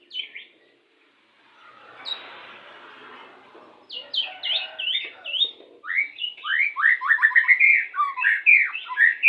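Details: Pastol-type white-rumped shama song played during pairing to speed breeding condition. A few high whistled notes and a soft hiss, then a loud fast run of descending slurred notes, repeated briskly to the end.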